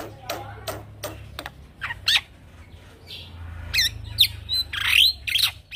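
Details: Young male black-winged myna singing in a rolling style, kept as a tutor for training other birds: loud harsh squawks and rasping notes at uneven intervals, with a few scratchy chirps and low background hum.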